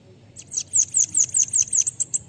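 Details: Bananaquit singing a tutoring song for other birds, about nine sharp, very high notes that each drop steeply in pitch, delivered rapidly and evenly, closing with two slightly shorter notes.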